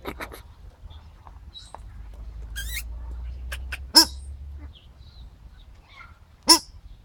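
Paradise shelducks give a few loud, shrill, harsh calls a couple of seconds apart, with softer squawks between, over a low background rumble.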